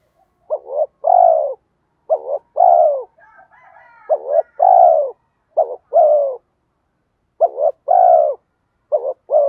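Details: Spotted dove in the 'giọng đồng' (bronze-voiced) style with urging coos and 'mắt me' accompaniment, used to lure wild doves; low hollow coos, each a short double note and then a long falling coo, repeated about every two seconds, with a faint higher warble midway.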